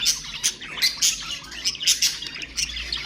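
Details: Pet budgerigars calling to stimulate other birds: a bright, high-pitched chatter of sharp squawks and short chirps arriving in bursts about every half second, with calls overlapping and no other clear sounds.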